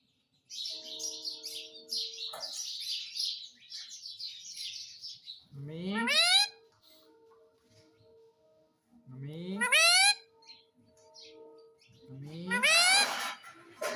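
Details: Indian ringneck parrot, a talking pet said to call "Mummy"; quiet warbling chatter at first, then three loud steeply rising harmonic calls spaced about three seconds apart, faint steady hum behind.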